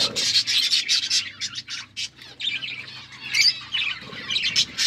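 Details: Budgies feeding on seeds give a busy stream of shrill, buzzy chirps and chattering squeaks, loud and nearly unbroken, with short dips in between bursts.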